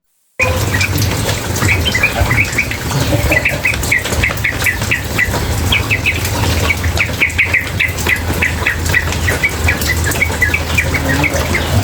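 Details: Female yellow-vented bulbul, chatty and calling nonstop in rapid bursts, gives short bright chirps repeated in quick clusters throughout, over a steady roar of running water.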